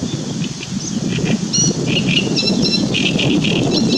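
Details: Great reed warbler song recorded on 2 June 2017: short scratchy and squeaky notes strung together irregularly, partly masked by loud continuous low-pitched rumble.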